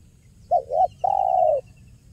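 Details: Spotted dove in the 'kuk 1' style, used as a lure for trapping: two short low cooing notes, a brief pause, then one long, steady drawn-out coo; a faint thin ticking series sounds higher up.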